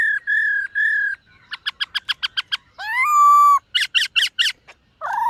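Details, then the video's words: Morning practice song of a white-cheeked laughingthrush: steady whistled notes, a quick series of sharp repeated clicks, a long rising then level whistle, then bright metallic chattering notes before a final upslurred whistle. "Khướu BẠC MÁ hót MÚA luyện giọng . Khướu hót sáng luyện giọng kích bổi"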